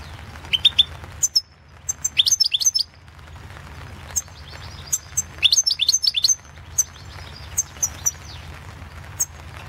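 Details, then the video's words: Caged European goldfinch song from the 2016 World Championship in Goldfinch Song: short high twitters and thin chips broken by pauses, with a denser jangling phrase midway and sharp ticks throughout. "Pesma štiglića"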